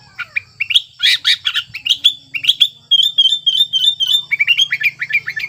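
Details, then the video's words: Sooty-headed bulbul in breeding condition, its song used to coax quiet birds into singing: dense run of loud chirps and slurred whistles, then a rapid string of even repeated notes, over a soft low hum. "Suara Burung Kutilang Gacor Birahi Ampuh Untuk Pancingan Kutilang Malas Bunyi"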